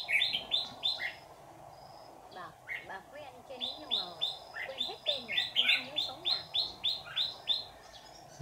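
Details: A decoy red-whiskered bulbul, white-cheeked type, sings at a trap to lure wild birds. Bursts of short repeated notes about three a second come with a pause in the middle. Faint talking and rustling are heard.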